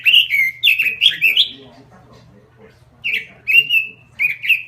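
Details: Lure recording of a robin in full voice: two bursts of quick, bright, slurred whistles, each note swooping down, split by a short pause, with a soft low hum behind.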